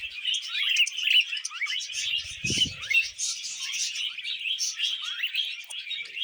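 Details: Several happy budgerigars feeding on vegetables keep up a busy, unbroken warble of rapid chirps and quick rising whistled notes, with one brief low thud in the middle.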